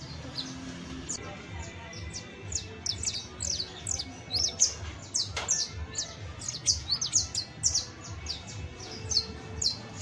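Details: Juvenile saffron finch, the canario basto, pours out a long, fast stream of high, sharp descending chirps and twittering notes over faint low hum.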